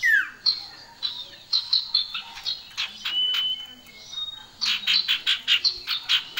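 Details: Male and female common iora singing energetically: a falling slur, then rapid series of sharp, clipped high chirps in bursts with short pauses between.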